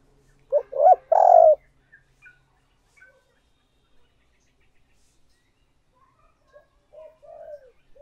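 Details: Decoy spotted dove cooing to lure and provoke wild doves: one loud phrase of two short notes leading into a long, rough, falling coo, then faint softer cooing later.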